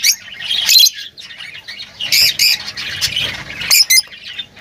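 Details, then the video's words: Lovebirds calling in harsh, raspy squawks and twitters, delivered in uneven bursts with short pauses between them. "Huni ng Lovebirds | Love birds Singing [ Call Sound ]"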